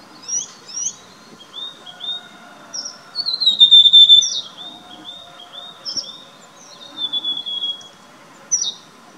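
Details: Rufous sibia recorded in India, a social tree-crown forager of montane forest: repeated phrases of high whistled notes held close to one pitch, with sharper downslurred notes breaking in at intervals over about nine seconds.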